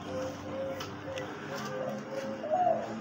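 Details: Captive Spotted Dove kept as a hunting decoy, described as calling very densely and beautifully, a rare quality; soft low cooing notes run through the recording alongside a man talking and faint background hum.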